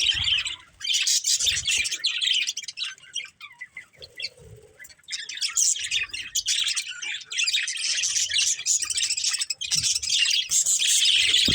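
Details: A breeding pair of budgerigars chatters continuously: rapid high tweets and scratchy warbles in long runs, a quieter stretch near the middle, then louder dense chirping to the end.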